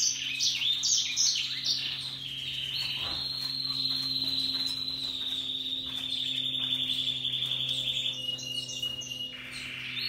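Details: Happily singing Russian yellow and Timbrado canaries: a few quick high chirps open, then a long, steady, buzzy rolled trill that holds one pitch for several seconds and drops slightly lower near the end, over a faint low hum.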